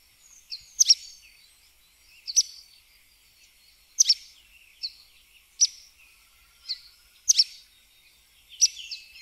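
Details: Sooty tyrannulet song: short high, sharp notes and brief chattered phrases repeated about every one and a half seconds, well above other sounds, with a faint steady background hiss.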